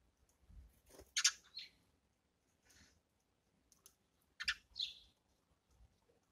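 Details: Eurasian tree sparrows feeding in the morning; a few short, sharp high chirps in two clusters separated by quiet, with soft tapping and pecking sounds between them.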